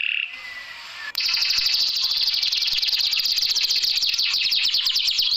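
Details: Canary isian (filler song played to get lazy, quiet canaries singing): after a faint, near-silent opening second, a loud, dense, rapid trill of high buzzy notes runs steadily to the end.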